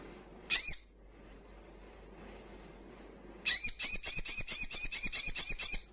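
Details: Crimson sunbird with fast 'ngalas' wild-style song, said to spark breeding condition and aggression in untrained birds: one sharp high note, a quiet gap, then a long run of quick, slurred, very high notes.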